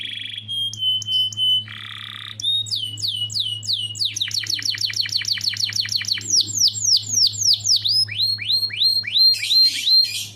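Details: Loud canary lure song, used to set off other birds: buzzy held notes give way to rapid rolling trills of downslurred whistles, shifting phrase after phrase, with a low hum underneath.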